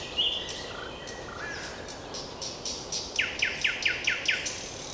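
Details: Common nightingale singing: a few soft, thin whistles, then a fast burst of six sharp, descending notes repeated about five times a second, over steady background noise.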